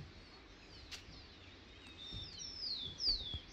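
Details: Bearded Mountaineer (Oreonympha nobilis), a large Peruvian endemic hummingbird, gives thin, high, squeaky downward-sliding notes, several in quick succession, over low background hiss.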